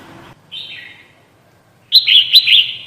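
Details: Red-whiskered bulbul trapping lure: a softer whistled phrase, then a loud rapid series of sharp, bubbling chirps near the end.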